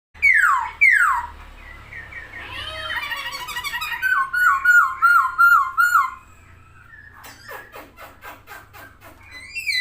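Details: Chinese hwamei singing actively while opening its wings, a loud varied song of downslurred whistles, then rapid repeated rolling slurred notes, switching to quieter fast trills and buzzy phrases, indoors.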